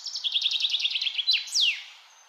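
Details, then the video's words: Wild bird singing in nature: a rapid run of about fifteen high, clipped notes that slowly descend, then a brief slur and a loud, sharply falling sweep, with a quiet background. "Birds in nature |peaceful sound"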